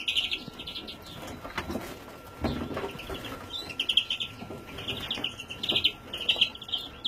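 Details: Young European greenfinch recorded in 2017 gives short, buzzy, trilled calls in irregular bursts, some close together. Between them come faint clicks and rustling, with a thin steady tone humming in the background.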